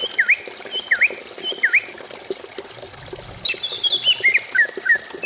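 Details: Greater green leafbird song used as a singing lure. Three sharp V-shaped whistled notes come about a second apart, then a fast, descending jumble of whistles ends in short level chips.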